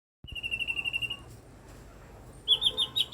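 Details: Eight-year-old blue-winged leafbird making unusual sounds: a fast, even trill of high whistled notes lasting about a second, a short pause, then a louder, wavering high trill.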